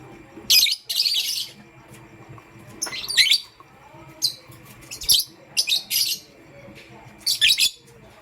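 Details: A pet pastel gray lovebird chirps in the morning: repeated short harsh chirping bursts roughly every second, over a faint steady background hum.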